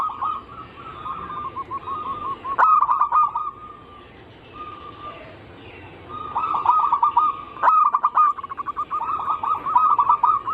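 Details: Zebra dove anggungan song serving as a lure for other zebra doves: an opening string of gentle coo notes, a clicking trilled burst, a quiet stretch with single faint coos, then a long energetic run of fast, stuttering cooing notes.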